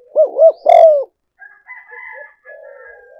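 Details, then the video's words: Spotted dove on a luring decoy recording gives one phrase of two short arched coos and a longer louder coo, followed by softer drawn-out tones and murmurs. "cu gay moi chuan mp3"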